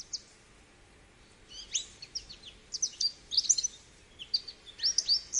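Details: Irregular, high-pitched twittering and sliding chirps from an American goldfinch, growing busier toward the end, with a soft background hiss.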